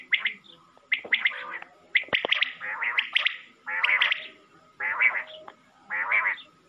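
Common quail giving harsh, buzzy, clipped calls about once a second, about seven bursts in steady succession, with no other clear sounds.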